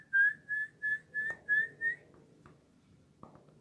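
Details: Young six-month-old Kalij pheasant (white-crested Nepal pheasant), from a trio of one male and two females, at night on the roost, gives six short, clear whistled notes, about three per second, the last rising slightly, then a few soft knocks.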